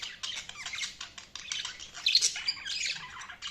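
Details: Budgerigars chirping: dense, scratchy high chatter with rapid squeaky notes overlapping throughout, a few sharper squeals near the middle.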